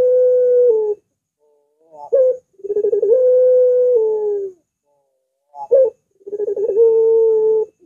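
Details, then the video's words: Repeated long coos of a Barbary dove, for training and luring other doves: each starts with a short sharp note and quick rolling stutter, then stretches into a steady, slightly falling tone, with brief silences between phrases. "Masteran Burung Puter !! Suaranya Melengkung Panjang Cocok Banget Dijadikan Pancingan Puter"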